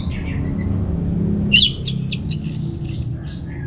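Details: Orange-headed thrush in relaxed ngeplong song used to stimulate birds at home: a soft opening note, then loud sharp high whistles and a drawn-out slurred phrase, against a low hum.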